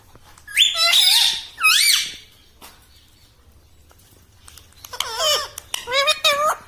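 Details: Indoor pet ringneck parrot talking: two loud squeaky, harmonic phrases, a quiet stretch, then a rapid wavering series of voice-like syllables with faint clicking.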